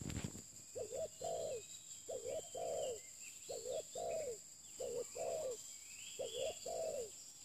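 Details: Spotted dove at a pikat lure session, a new bird, repeating a clear low phrase of a short double note and a longer falling coo about every one and a half seconds, with faint higher birdsong behind.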